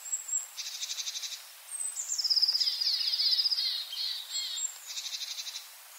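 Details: Long-tailed tit at a yard in Joroinen alternates dry, stuttering rattles of rapid pulses with a thin, high, fast trill in between; the rattle returns at the end.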